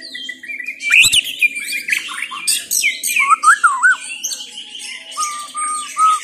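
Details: White-rumped shama singing mixed whistled phrases with buzzy high bursts, then a series of lower, looping fluted notes and short repeated whistles, with one sharp click near the start.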